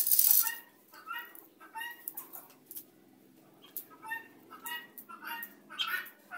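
Guineafowl give harsh, nasal, stacked calls in short bursts about every half second, a flock chattering together; a sharp clink opens the recording.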